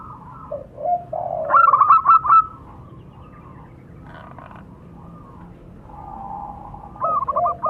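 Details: Male and female local zebra doves exchanging calls: low purring coos lead into one clear burst of fast clipped notes, followed by a quiet stretch and a softer answering phrase at the end.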